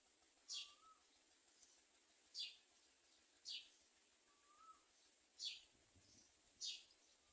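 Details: Common myna carrying food to its young. Thin, high descending chirps come at uneven intervals of one to two seconds, twice joined by a short, soft, lower whistle.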